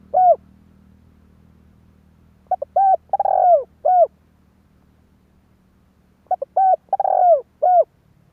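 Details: Lure call of a spotted dove, used for trapping: a lone closing coo, then two full phrases of quick stuttered notes swelling into a long hoarse coo and one clear falling coo, over a faint low hum.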